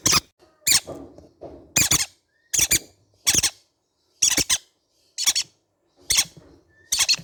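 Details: High, rasping squeaks from baby green-cheeked conure parrots indoors, given singly or in pairs about once per second, with faint lower murmurs between calls.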